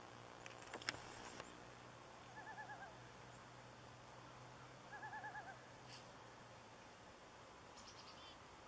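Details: A juvenile common loon calling at sunrise on a lake in Nevis, Minnesota, 16 October 2016, gives two brief, wavering, quavering calls a few seconds apart, with a few sharp knocks at the start and a low steady hum underneath.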